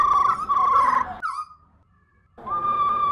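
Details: Caged female black laughingthrush giving the 'ro ro' call used to spur pet birds to sing: a steady buzzy rolling tone, a short falling slur, a pause of about a second, then the rolling tone resumes.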